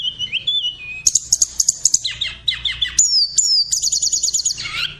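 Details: Pet cockatiel (Nymphicus hollandicus) giving a lively run of whistled chirps, slurred notes and rapid trills.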